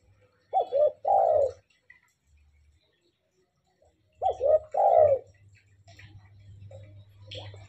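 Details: Spotted dove, tame and singing often, delivers two phrases about four seconds apart. Each is a pair of short low coos and then a longer husky coo, over a faint low electrical hum.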